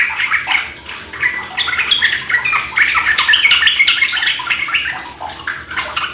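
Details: Fast 'ropel' song of a Yellow-vented Bulbul, meant as a lure to set other kept birds singing: busy run of bright chirps and squeaky warbles, a few pauses, with running, splashing water throughout.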